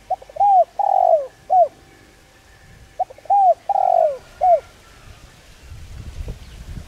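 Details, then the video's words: Spotted dove, a bird of village farmland feeding on rice, beans, sesame and grass seeds, cooing a lure call used to train birds: two low hooting phrases of short and drawn-out coos about two seconds apart, faint rustling after. "Cu gáy Gáy Gọi giọng sát bổi kích mồi tập bổi hiệu quả/kích bổi nhanh gáy"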